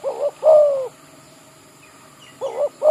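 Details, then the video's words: Spotted dove, a village bird kept as a lure, calling in an oil palm yard. Low, soft, hollow coos come in paired notes, the second longer and falling, then a pause and another pair. "Ayol Terkukur-burung kampong jadi pikat"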